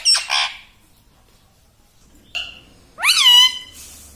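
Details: Pet ringneck parakeet imitating speech indoors: two short nasal syllables, a brief pause, then a loud, rising and falling, word-like syllable.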